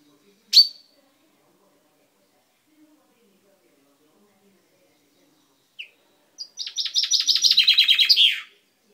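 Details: Kept chaffinch with a freshly purple beak, recorded 10/05/12: a sharp single call, a quiet gap, then one fast trill of repeated notes speeding up and dropping in pitch before a closing flourish.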